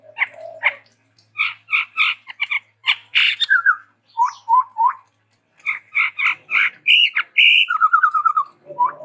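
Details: ['Chestnut-rumped babbler, endemic to Sumatra, in energetic varied song: quick series of paired chirps, short downslurred notes, then a rising whistle into a steady trill, with brief pauses between phrases.']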